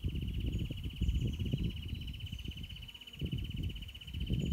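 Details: A male Wrentit in Hazard Canyon, defining and defending his territory with tail vibrating, sings a long, even trill of rapid high notes that runs unbroken throughout (extended trills reach about nine seconds), over heavy low wind rumble.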